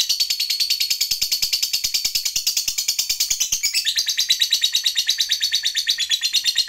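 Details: Caged lovebird's extended trill meant to rile other lovebirds: fast, continuous high-pitched chattering notes repeating about three times a second, dense and buzzy, dropping slightly in pitch partway through.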